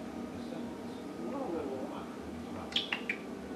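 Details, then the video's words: An African grey parrot indoors mutters low, speech-like babble, then gives three sharp clicking squeaks near the end. "Talking and Making Noise - African Grey Parrot"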